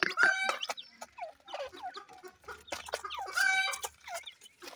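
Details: Deccan francolins kept with their chicks. Two loud, nasal, ringing calls open and close the moment, with downward-slurred peeps and short chirps between them.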